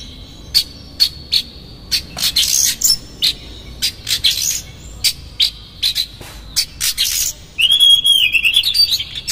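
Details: Oriental magpie-robin in energetic konslet-style song, played to rile another magpie-robin. Brief rasping notes and thin whistles give way near the end to a loud wavering whistled phrase with rapid harsh chatter.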